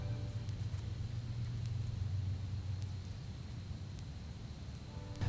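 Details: Steady low engine-like rumble dominates, with a faint constant high hum and a few soft clicks; no animal calls.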